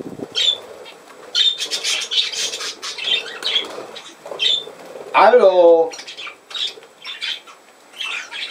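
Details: Budgerigar chatter from 17 November 2024: repeated high chirps and squeaks, broken midway by a drawn-out, descending, voice-like harmonic call lasting about half a second, then more chirping.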